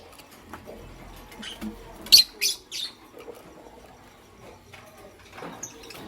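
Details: Pastel gray and green lovebirds in the morning: three loud, rasping high chirps in quick succession, then quieter scattered notes against a soft background.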